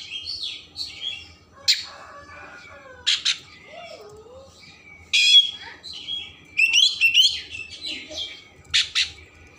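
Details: Oriental magpie-robin song intended to rouse emotion and tail opening, a mix of scattered sharp notes, harsh raspy bursts and brief warbles, quieter and more broken, with a soft lower whistled sweep midway.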